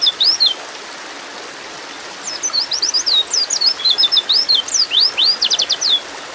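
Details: White-eye female in breeding mood calling to a male, opening with a brief slurred note, then a continuous rush of high, thin chirps and sweeping whistles ending in fast repeated strokes.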